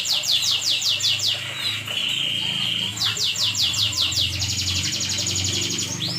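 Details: Night-singing canary in energetic song, fast repeated downward sweeps broken by a level sustained trill, then a buzzy rolling trill and a rising note, all high and clear over a low background hum.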